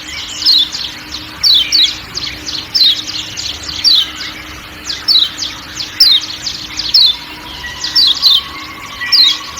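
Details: Repeated 'ciak ciak' calls of the Lombok kecial kuning (white-eye) in forest surroundings: thin, piercing descending chirps, often doubled, coming about once a second, with a continuous shrill insect drone beneath.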